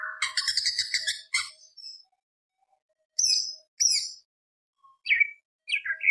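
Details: Greater green leafbird singing as a lure: an opening burst of harsh, rasping chatter, a long silence, then scattered high sharp notes and short whistled phrases.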